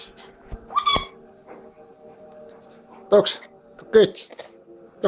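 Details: Severe (chestnut-fronted) macaw (Ara severus) giving a few short, harsh, raspy squawks about a second apart, with a person speaking softly and faint music behind.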